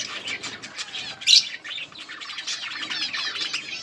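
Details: Feeding budgie flock in a colony, continuous fast twittering and chirps with one sharp loud squawk near the middle.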